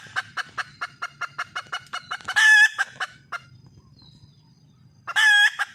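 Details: Red junglefowl hen, wild, calling to attract a male: a quick series of about a dozen evenly spaced short clucks, then a loud drawn-out harsh squawk with trailing clucks, and a second squawk near the end.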